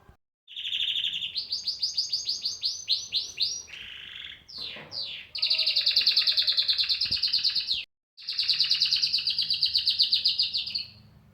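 A cockatiel chatters in fast, rasping, repeated notes, with whistled phrases between bursts.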